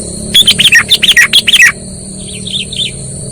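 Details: Sooty-headed bulbul trapping lure: a rapid string of about a dozen loud, bubbly chirps, then three softer falling notes, with a steady high electronic hum in the background.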